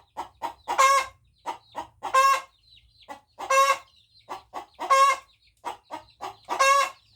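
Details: A crowing hen gives four loud, rasping crow phrases at roughly one-and-a-half-second intervals, each led in by a couple of short clucks.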